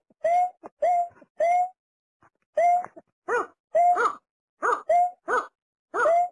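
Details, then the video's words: Watercock giving hollow, clipped notes in two alternating forms: a steady tonal note with a slight rise, and a broader, wavering hoot. They come in bursts with short silent gaps, nearly one note a second. "Mp3 Ayam Ayaman Sawah | Berkik/Tiruk"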